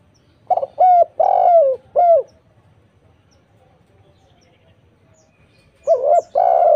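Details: Spotted dove lure song meant to set off answering doves: a run of four low coos, one long and falling, then a pause and a second phrase starting, background quiet.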